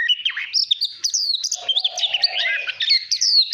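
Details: Caged white-rumped shama in full song during voice training: fast, tumbling whistled notes, many short phrases in quick succession, with a buzzy low warble joining in the second half.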